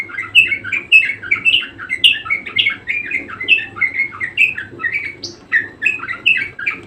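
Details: Budgerigar singing persistently, short chirpy notes repeated almost twice a second in a bouncy, rhythmic chatter, with one higher squeak partway through and a low hum underneath.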